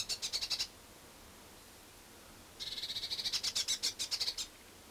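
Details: Blue tit noisy at a winter feeding station, Budapest-Csillebérc, Hungary, 1 January 2011: a short burst of high buzzy chatter, a two-second pause, then a longer rapid churring series of harsh notes.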